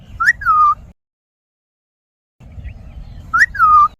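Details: Ringneck parrot making a funny sound: a two-part whistle, a short rising chirp then a falling, drawn-out tone, given twice about three seconds apart over low background rumble.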